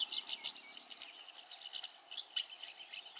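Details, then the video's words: Rosy starling eating banana, migrant from Europe to India, giving loud bursts of harsh, high chirps and rattling squeaks, roughly three or four bursts per second, close and clear. "Rosy starling calls - eating banana"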